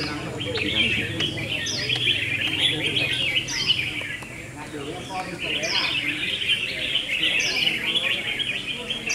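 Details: A red-whiskered bulbul singing contest with rapid, rolling chirps and bubbling warbles, punctuated by repeated short, sharply rising whistles, several birds overlapping.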